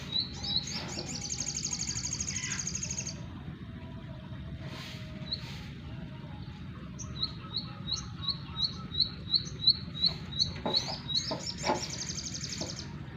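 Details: Bar-winged prinia singing: a sustained high buzzy trill, then a long series of sharp repeated high chips about three per second, ending in another buzzy trill; quiet background.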